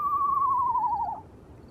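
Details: At night by a river, an Eastern screech-owl perched on a tent in the moonlight and called for about twenty minutes: a single quavering, mid-pitched whistle sliding slowly downward over about a second, then fading into background hiss.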